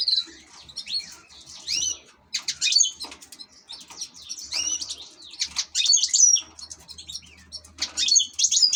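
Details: European goldfinch kept as an ornamental bird, singing energetic twittering phrases of chirps, rising whistled slurs and dry buzzes, with a thin steady whistle near the end and a soft low hum.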